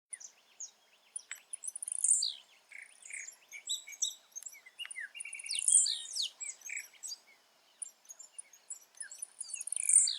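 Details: Wild blue-black grassquit singing in its natural habitat: a high, buzzy burst that sweeps downward, heard three times about four seconds apart. Other birds keep up a busy chatter of chirps and trills behind it.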